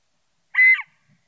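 A scaled quail gives one short, nasal, slightly buzzy call lasting about a quarter second, set against near silence.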